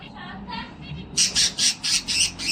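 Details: Pet cockatiel singing and dancing indoors: after a second of faint murmur, a string of six loud, harsh, high squawks in quick succession.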